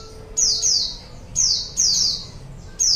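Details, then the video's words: Lure sound of a white-eye for wild birds: five loud, high notes each dropping in pitch, one tight pair near the start, others spaced irregularly. "PANCINGAN SUARA PIKAT BURUNG PLECI"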